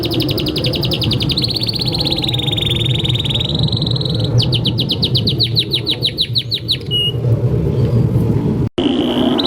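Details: Canary song used to train young canaries and those that stopped singing: long fast trills at shifting pitch, a bout of quick repeated downswept notes, a pause, then the trill resumes briefly over low hum.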